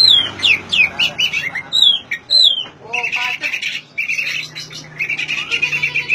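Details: Oriental magpie-robin, a recording to prompt silent birds to sing, opening with bright descending whistles, then shifting to grating buzzy trills in several bursts.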